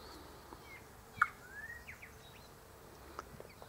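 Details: Spiny-cheeked Honeyeater (Acanthagenys rufogularis) waiting its turn near a sugar-syrup lure in a native cypress tree in the afternoon, giving sharp, clicking tick-tock notes with a few soft slurred whistles between, over a quiet, faintly noisy background; Red Wattlebird feeding.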